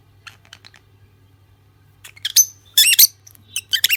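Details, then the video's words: Soft rapid ticking twitters from a lutino lovebird pair give way to loud, harsh, shrill chirps and screeches crowded together in the second half, with a low hum beneath. "Lovebird Singing & Chirping Sound"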